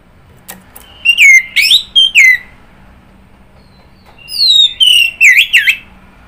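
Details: Loud whistled song of an orange-headed thrush, slurred down-and-up notes in two clusters, the second opening with a long descending whistle, with faint low hum beneath.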